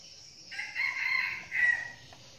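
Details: Decoy red junglefowl that crows often, giving one crow: a harsh, strained rising phrase that breaks after about a second into a second loud burst and then trails off. Faint background hiss.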